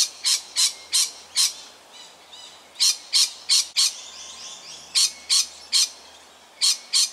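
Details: Agitated lorikeet near a tiger snake, filmed 13 October 2019 in suburban Melbourne, Australia, giving bursts of loud grating screeches in uneven clusters of three to five, with brief quieter gaps between volleys.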